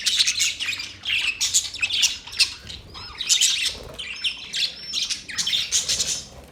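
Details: Budgerigars chattering in pulsing bursts of buzzy, scratchy chirps roughly every half second to second, with a few clear rising and falling whistled notes between the bursts.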